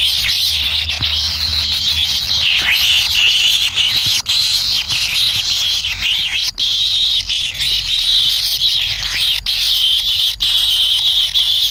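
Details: Wild kingfisher nestlings beg for food from their parent inside the nest. A continuous shrill, hissing churr holds steady at high pitch, broken by a few loud clicks around the fourth, sixth and ninth seconds.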